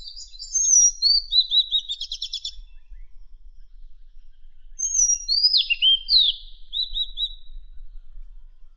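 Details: Madagascar magpie-robin song used as training material for contest songbirds. Two clear high phrases of sweet whistles, each ending in a quick rattling trill, one in the first three seconds and one after a pause near the fifth second, with a quiet background.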